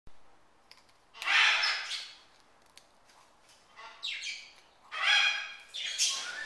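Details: Military macaw, a pet, eating a cracker with peanut butter as a treat; loud harsh broadband squawks in bursts about a second long, separated by short pauses, with faint clicks between.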